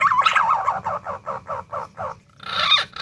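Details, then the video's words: Pink-necked green pigeon calling: a wavering, warbled whistle opens, followed by a run of short pulsed whistled notes about every quarter second, ending in a brighter, harsher burst. "SUARA PUNAI DAUN"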